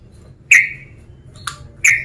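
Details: Male sooty-headed bulbul calling a rival to provoke it: three sharp, bright notes within two seconds, a clear chirp, a harsher broken note, then another clear chirp like the first, over a faint low background hum.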